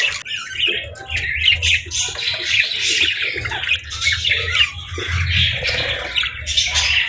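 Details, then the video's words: Budgie parents caring for chicks; continuous scratchy squawks and high chirps from several birds overlap throughout, over a low background hum. "Cute Budgies With Cute Chicks 🐦 | Adorable Moments & Chirping Sounds"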